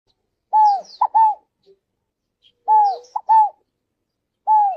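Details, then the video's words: Ground doves, described as a very common bird in nature, giving short mellow coos around mid pitch, each note arching then falling, in two groups of three notes about two seconds apart, with quiet pauses between. "Canto lindo das Rolinhas"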